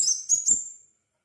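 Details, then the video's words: Crimson sunbird singing energetically, a recording used as a lure to get other sunbirds to sing: three very high, thin, sharp chirps in quick succession, the last trailing off, with nothing else audible. "Burung kolibri sepah raja gacor - pancingan sepah raja agar bunyi"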